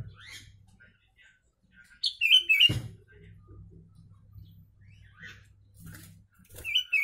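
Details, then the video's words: Sooty-headed bulbul singing a song filled with Javan myna imitations, recorded as a tutor track for mynas and bulbuls; short bursts of bright, slurred chirping notes arrive in two clusters separated by quiet stretches, with a low hum beneath. "Kutilang isian Jalak kebo"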